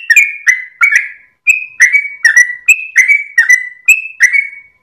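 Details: Trucukan, the sooty-headed bulbul, delivering its long 'ropel' song at early morning as a training recording for cage birds, tail wagging; liquid whistled notes with falling slurs, evenly spaced, one short break midway.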